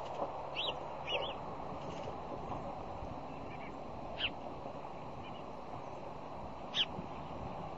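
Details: Bald eagle at the Decorah fish hatchery nest, Iowa, on the morning of 1 February 2010, giving a few thin, high squeaky chirps, some in quick pairs, spaced several seconds apart over a steady background hiss.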